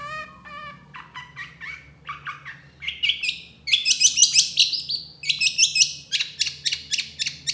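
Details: Long-tailed shrike in varied gacor song with tembakan phrases: lower repeated chirping notes building into fast, loud, high chattering series of about three notes per second.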